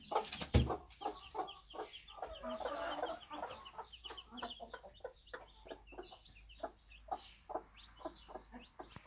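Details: Bantam mother hen with one-day-old chicks, recorded in a backyard on a small farm. Rapid, short, low clucks are repeated unevenly throughout. A brief loud knock sounds near the start, and faint rustling runs underneath.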